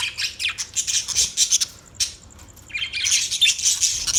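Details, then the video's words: Budgerigar giving very high, harsh screechy squawks and rapid chirps, a brief lull in the middle before another dense burst of shrill chatter. "Funny Budgie | Funny Budgies Sounds"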